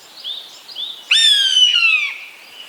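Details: Eastern buzzard's single drawn-out, wailing cry, gliding steadily downward for about a second. Soft, short bird notes come just before it.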